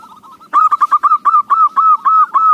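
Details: Local zebra dove singing, a song suited for use as a lure: after a soft opening coo, a fast run of loud, clipped cooing notes repeats about four times a second at an even pitch.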